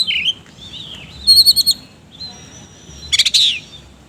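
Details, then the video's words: Oriental magpie-robin in vigorous 'isian kasar' song. It opens with a descending slurred whistle, then a fast string of five bright repeated notes, a long high thin whistle, and a rasping chatter burst. "BURUNG KACER GACOR NGOBRA ISIAN KASAR"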